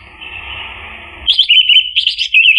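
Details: Orange-headed thrush song, played to stir a bird that has stopped singing. A faint hiss gives way to loud, rapid, twisting whistled notes delivered in quick bursts.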